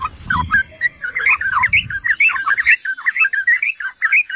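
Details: Yellow-vented bulbul, used as a master song to provoke rival bulbuls: rolling, bubbling warbled notes delivered about once per second in quick clusters, with a low rumble early on.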